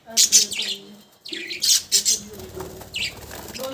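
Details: Budgies give short, sharp chirps in small clusters separated by quiet gaps, with faint low tones in the background.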